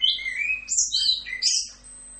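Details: Short burst of orange-headed thrush full rock'n roll tutor song: slurred falling whistles and high warbling phrases packed closely together, ending abruptly, with a faint low hum behind.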